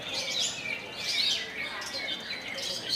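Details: Long-tailed shrike with a kolibri (sunbird) imitation in its song, delivering shrill, bright twitters in quick bursts, with sharp up-and-down slurred notes and brief dips in loudness between phrases.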